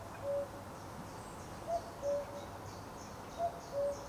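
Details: Common cuckoo calling at Potteric Carr Nature Reserve on the second of June: soft, low two-note hoots, the first slightly higher than the second, repeated every second and a half or so over a steady hiss of background noise.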